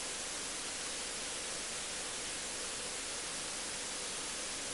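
Loud, even hiss like static or a rushing waterfall fills the whole recording, with no animal sounds.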